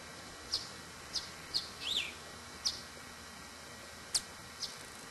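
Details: Broad-tailed hummingbirds at sugar water, fighting and seeking fights: sharp, very high single chips spaced about half a second apart, with one brief lower downslurred squeak midway, against quiet hiss.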